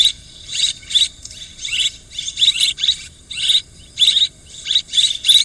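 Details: Busy swiftlet twittering: scratchy chirp bursts with frequent thin, squeaky whistles, arriving in quick irregular succession, light steady hiss throughout.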